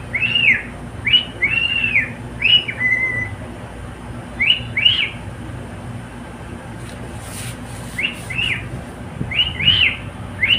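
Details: Pet cockatiel singing: short arched whistles in quick pairs and triplets, then a pause and more paired rising-falling notes, with a faint low hum behind.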